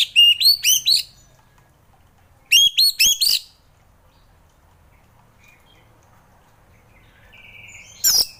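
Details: Orange-headed thrush in ngeplong style for coaxing lazy thrushes to sing: short bright phrases of four or five upward-hooked whistles, spaced a few seconds apart, with a faint thin note before the last burst.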